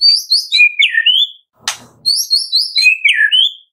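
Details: White-rumped shama song used as a lure so that kept birds will sing, morning to afternoon. High, thin chattering twitters with downslurred whistled phrases, interrupted midway by a single sharp dry click.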